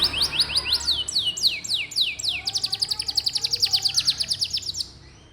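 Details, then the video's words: Canary singing to encourage young, quiet canaries: repeated rising whistled notes about three a second, then a rapid rolling trill that fades out near the end. "Suara burung kenari bikin hati senang, dan masteran burung kenari muda dan jarang bunyi"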